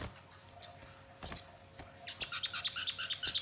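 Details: Lure recording of a crimson sunbird: a faint high trill, two sharp piercing chips, then a quick steady run of high metallic twitters.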